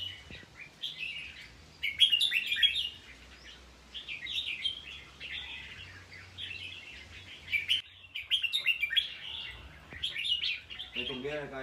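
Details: Red-whiskered bulbul singing short, bright warbled phrases in bursts of one to two seconds, separated by brief pauses, over a low steady hum; a faint lower warble enters at the very end.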